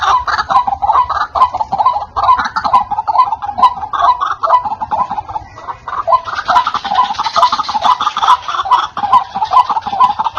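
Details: Continuous white-breasted waterhen calling for luring wild birds: a long series of croaking notes, a bit over two per second, growing harsher and fuller toward the end.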